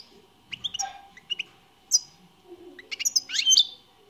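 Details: European goldfinch singing: scattered short high chirps and twittering notes, a bright burst of liquid trilled notes near the end, with a faint low hum underneath.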